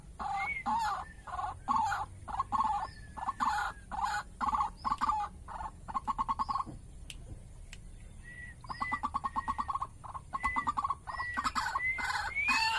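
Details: A one-year-old pet white-breasted waterhen, increasingly vocal, gives loud, croaking, rhythmic notes repeated in fast bursts; it is being readied for use as a decoy in trapping.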